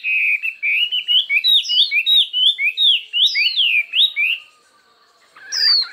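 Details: Chinese hwamei singing competitively in a many-voiced contest: a fast run of ringing, rising and falling whistled phrases for about four seconds, a brief pause, then a sharp high downslurred whistle.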